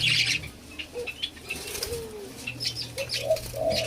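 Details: White-eared brown dove (alimukon) kept for taming; a few short, low, tonal coos, one sliding downward mid-clip and two brief notes near the end, over a steady electrical hum, rustling and faint high chirps from other birds.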